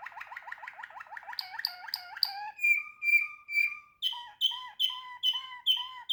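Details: Waterslager canary song moving through distinct tours: a fast, low, bubbling roll, then sustained whistled notes, then a series of clear, repeated, bell-like notes, each followed by a lower tone.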